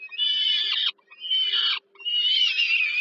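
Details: Peregrine falcon nestlings in Warsaw, Poland, calling for food at an evening feeding by the mother, 15 July 2022; three drawn-out raspy screams, each nearly a second long, separated by short silences.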